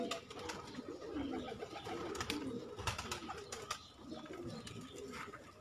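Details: Low murmuring coos from a group of kept pigeons, belonging to a keeper's hobby, overlap one another. Sharp clicks and fluttering movements break in throughout.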